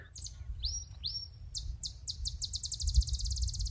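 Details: Botteri's Sparrow singing from mesquite flats near Madera Canyon, on the way up to Box Canyon, southeast Arizona, in July: high chips, two rising slurred whistles, then sharp notes accelerating into a bouncing-ball trill. Low wind rumble underneath.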